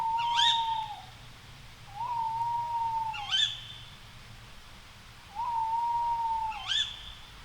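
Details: Tawny owl calling at night: three long, steady, level hoots, each about a second, every two to three seconds, with a sharp high upswept note after each hoot.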